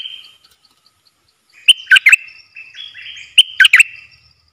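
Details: Two lively phrases from a wild bulbul that avoids the cage and probably has nestlings, each made of quick, sharp chirps running into a warbled, wavering trill, with a brief pause between them.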